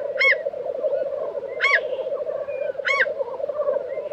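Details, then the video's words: : Black grouse at a lek in Tiveden, Sweden, in April 2023: a steady, dense bubbling drone runs throughout, broken by three sharp, hissing sneeze-like bursts about every 1.3 seconds. "Black Grouse Lek - sound recording"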